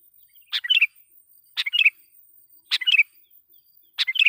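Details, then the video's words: Loud lure song of a sooty-headed bulbul meant to anger wild rival bulbuls; four brisk phrases about a second apart, each starting with a sharp note and tumbling into liquid, bubbling whistles, with nothing else audible. "suara pikat KUTILANG GACOR /kutilang suara keras,membuat kutilang liar EMOSI"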